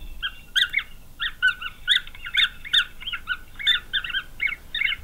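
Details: Nestling green wood hoopoes calling from a nest in Pretoria, South Africa, in November 2023: short harsh paired squawks with two bands, in clustered bursts separated by brief gaps, with occasional sharp clicks.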